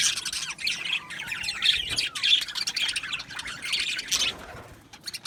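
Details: Budgerigar colony in an aviary, producing a dense mix of warbled chirps, squawks and chattering notes from several birds at once.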